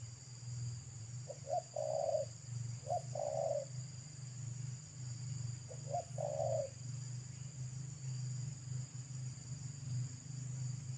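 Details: Local wild spotted dove by the roadside with a thick, loud pesom-style voice, repeating three coo phrases, each a quick double note leading into a longer coo, against a persistent low hum.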